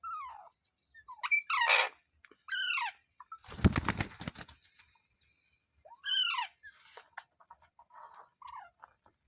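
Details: Parrot giving loud harmonic squawks that slide downward, repeated in bursts, with a noisy rush of wing flapping midway.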